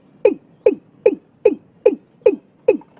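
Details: Watercock calling in Vietnam at the start of the year: seven short hollow, downward-sliding notes delivered steadily about every 0.4 seconds, with a quiet background.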